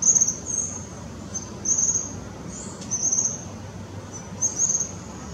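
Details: Juvenile Tropical kingbird vocalizing at Parque da Chacrinha in Rio de Janeiro, February 2019: brief high, sibilant twittering bursts repeated about once a second, fairly soft, with a constant low rumble of background noise.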